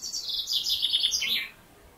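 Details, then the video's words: Male common chaffinch in summer in the Maungakotukutuku Valley, New Zealand, a characteristic summer sound: a bright, high trill of quick notes tumbling downward over about 1.5 seconds, ending in a short flourish. "Male Chaffinch Call in Summer"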